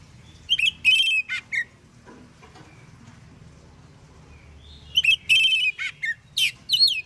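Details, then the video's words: Morning song of an Oriental magpie-robin meant to prompt replies from other magpie-robins: two high whistled phrases with held notes and falling slurs. The second is longer, with extra sweeping whistles at its end, over soft background noise. "KACER gacor NGEPLONG di pagi hari BUAT KACER lain NYAUT BUNYI AMPUH"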